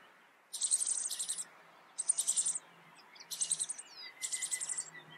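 Rock bunting giving four short bursts of thin, very high, rapid buzzy notes about a second apart, over a faint steady background hiss.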